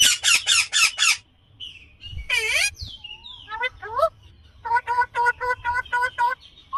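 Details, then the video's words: Indian ringneck parakeet voice: five quick harsh screeches, a long grating squawk, a few bent nasal notes, then a rapid rhythmic string of honking calls about four per second. "Indian Green Ringneck Parrot Natural sound/Voice"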